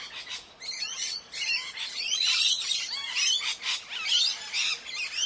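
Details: Busy chatter of Indian parrots: quick curling squeaks and looping whistled notes mixed with rough screeches, several birds calling over one another.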